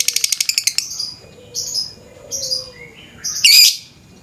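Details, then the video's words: Morning lovebird, lure recording: opens with a fast run of high pulsed chatter, then three short buzzy high notes and a final loud harsh screech. "Pancingan suara burung lovebird pagi pagi ngekek panjang"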